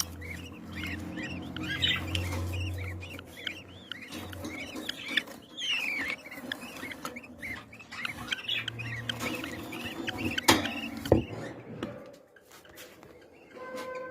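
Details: A budgerigar (Melopsittacus undulatus) chatters: rapid, warbling chirps and squeaky whistles tumbling over one another with low background hum.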